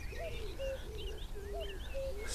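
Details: A Common Cuckoo that has just landed in a tree by a UK reedbed in the morning gives its soft, low two-note cu-coo, the second note falling, about every 1.5 s. Faint chirps of reed warblers and steady wind rumble sit beneath.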